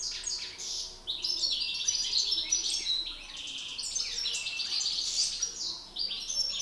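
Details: Male goldfinches battling in song: rapid, energetic twittering with many chirps a second, interspersed with buzzy trills and tinkling notes, one short break near the start.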